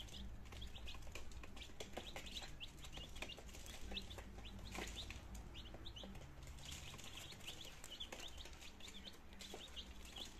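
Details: Chicken chicks in their second day of life, a group of nineteen beginning to feed and drink, Germany, 17 September 2022; dense rapid high-pitched peeping throughout, with clicks and scuffling sounds underneath.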